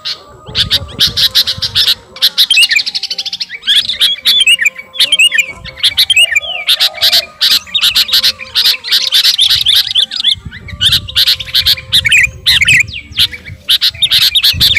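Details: Sooty-headed bulbul (kutilang garuda) in vigorous song aimed at a rival: long chattering passages of buzzy rattles and bright chirps, broken by short quiet gaps, with a faint steady tone underneath.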